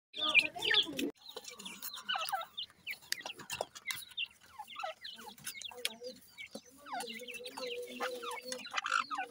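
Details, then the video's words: Francolin chicks after eating, described as not letting go of their food and fighting with their mother after feeding; thin high chirps and short calls are scattered among loud tapping and scuffling noises, with a steady low tone near the end. "baby pheasant do not let go after eating food,francolin baby"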